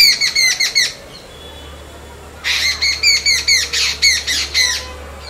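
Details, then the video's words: A Jungle Babbler babbling: harsh, squeaky chattering notes in quick bursts, about five per second, pausing briefly before a second, longer run, over a faint background hum. "Jungle Babbler Sound"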